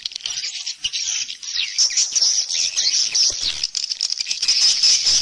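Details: A dense swallow chorus: many high, sliding, squeaky notes and chirps overlapping continuously, with faint low thumps.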